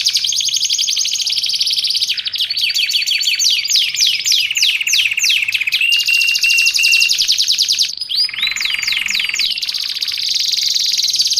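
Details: Nonstop canary singing for training and luring: buzzy high trill, then a cascade of falling chirps, brief flat whistles, and a lower rolling trill near the end.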